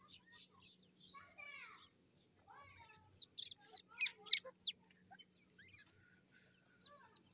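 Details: Grey francolin chicks fighting, from a breeding program: a burst of sharp squeaky chirps and rising squeals, loudest around the middle, with scattered high twitters before and after.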